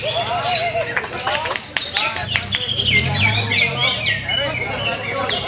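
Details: Greater green leafbird, noted for many competition wins, giving a lively string of clipped chirps and downslurred whistles, growing fuller and more warbled midway, over a low background murmur.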